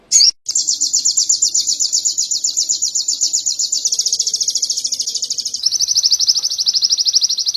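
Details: Canary song from an Indonesian training recording for songbirds: a brief sharp note, then a long, rapid, high rolling trill that steps down slightly in pitch near the end.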